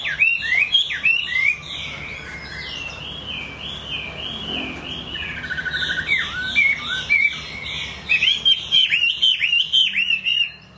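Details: Chinese hwamei singing a loud, varied run of clear whistled phrases, with quick slurred notes rising and falling and repeated in short series, then bursts of sharper twittering near the end over a faint low hum.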